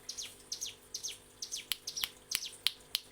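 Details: Mountain prinia, a ngebren-style master song for training captive birds: quick high chirps with downward-sweeping notes, repeated about three times a second in short bursts over a quiet background.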